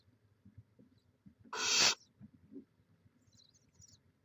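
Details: Barn owl at the nest in Chula Vista, California, on a live camera dated 18 May 2017: a single loud, rasping hiss of about half a second amid soft shuffling noises.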